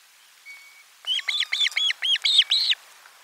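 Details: Lunchtime fish at osprey nest 4, 12 July 2022: after a faint thin whistle, a rapid even series of about eight loud arched whistled notes, roughly four per second.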